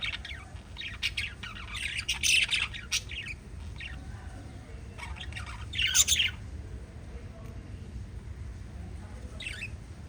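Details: Chirping pet lovebirds in short, rasping squawk bursts: a busy cluster near two seconds, another around six, then a lone high chirp near nine and a half seconds, with quiet gaps between.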